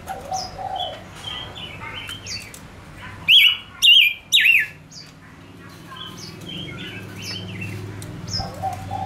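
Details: Male decoy Gouldian finch singing soft whistled phrases, then three loud, sharply modulated warbling bursts in quick succession, followed by quieter whistles, with mellow low notes at the beginning and end.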